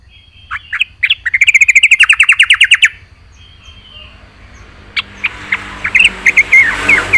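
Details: Yellow-vented bulbul (trucukan) singing vigorously with fill-in phrases: a rapid train of about twenty sharp repeated notes over two seconds, then a pause and looser liquid chirps and short slurred notes.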